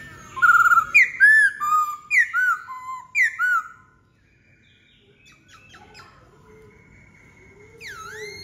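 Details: Black-throated laughingthrush delivering a fast string of loud, looping whistled notes, roughly six in succession, then a quiet stretch of faint chatter before one strong downslurred whistle at the end.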